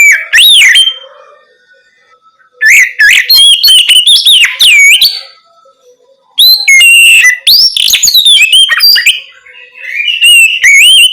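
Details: At night an Oriental magpie-robin sings in the loud 'ngeplong' style, meant to coax young untrained birds into replying: three bursts of powerful, rich whistles, rising and falling slurs and quick chips, separated by pauses.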